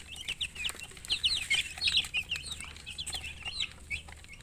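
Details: Young chickens cheep in a steady flurry of sharp, high, slurred notes, several birds calling at once, with light tapping noises in the background.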